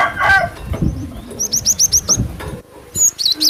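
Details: Cinereous tit lure call used to attract birds: a quick run of seven high, thin, sharply rising whistled notes, preceded by low rumbling noise and a brief louder bird call.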